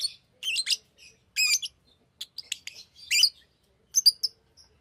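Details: Fischer's lovebird producing an uneven run of high, scratchy chirps and squeaky twitters, some in quick clusters, with brief pauses between phrases.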